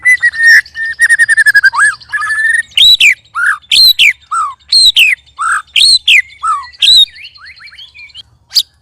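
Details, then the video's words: Three white-rumped shamas sparring, one giving loud strange sounds: a fast stuttering run of repeated notes and long whistles, then a series of downslurred clear notes about every second, mixed with sharp clicks. "Murai Keluar Suara Aneh Ketika Di Trex 3 Murai"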